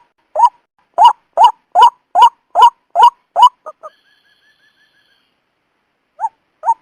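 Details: White-breasted waterhen lure call for trapping: seven loud upslurred notes in quick series, two short clipped ones, a faint thin tone during a pause, then two more single notes.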